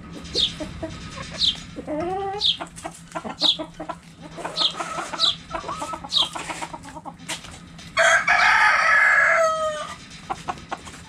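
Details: Backyard chickens clucking over a cabbage, hens and roosters together: rhythmic clucks and high chirps roughly three a second, then a loud harsh squawking burst lasting over a second near the end.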